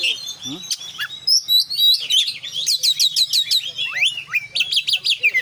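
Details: Energetic oriental magpie-robin song packed with varied fill phrases: rich whistles, then a run of about eight evenly repeated sharp falling notes, a low downward slur, and more quick repeated chips.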